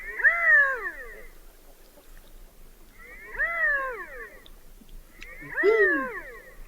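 Redhead giving three drawn-out, catlike wooing calls about two and a half seconds apart, each rising and then falling in pitch.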